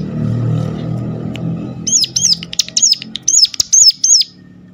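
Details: Sharp, piercing Sunda warbler (ciblek gunung) calls meant to prompt other warblers to sing more; a burst of about seven high, hooked notes in quick succession after a quiet start with low rumbling.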